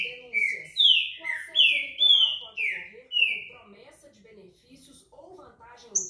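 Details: Trinca-ferro (green-winged saltator) repeater-style song: a rapid string of strong, slurred, descending whistles over the first three seconds, then the bird falls quiet and faint background talk continues.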